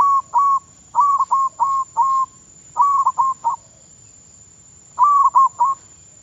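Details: Decoy zebra dove being trained in Thailand gives bursts of quick mellow coos in clusters of three to five, separated by short pauses, with a longer silence before a final cluster.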